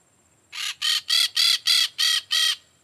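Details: Peach-fronted parakeet, Eupsittula aurea, calling: seven harsh, raspy screeches in an even series, each about a fifth of a second long, over a quiet background.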